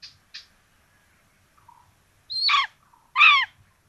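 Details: Common buzzard nest in Tiszalök, Hungary, 26 June 2022, two chicks being fed a rabbit. Faint soft notes come first, then two loud, strongly harmonic calls that bend downward, about 0.7 seconds apart.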